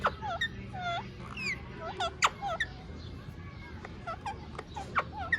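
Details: Ringneck parrot talking: a quick run of varied squeaky syllables, some rising and some falling, with sharp click-like bursts between them and a faint hum of room noise.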